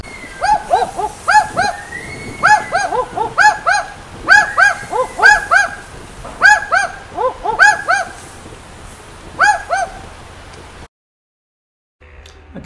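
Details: Barking Owl in Australia's Top End near Darwin giving repeated doubled "wook-wook" barks, about one pair a second, mid-pitched and dog-like, for about ten seconds before going silent.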